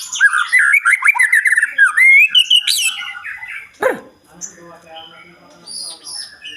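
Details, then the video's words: Murai batu, the white-rumped shama, delivers a full, richly filled song: fast varied whistles and warbled phrases for about three seconds, then a sharp descending sweep followed by quieter scratchy, chattering notes and faint background sounds. "MURAI BATU ISIAN MELIMPAH"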